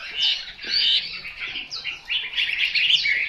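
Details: Household Chinese hwamei giving short bursts of bright, jumbled whistles and chattering notes in quick succession, with brief dips in loudness between phrases.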